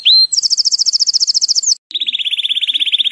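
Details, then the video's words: Belgian canary song for training young canaries: a rising whistle opens into a fast, even trill of high notes, then after a short break a second, lower rapid trill. "ENCARTE CANÁRIO BELGA PARA FILHOTES"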